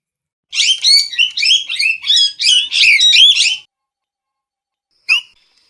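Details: Dense chattering series of harsh parrot squawks lasting about three seconds, followed by quiet and one final sharp note.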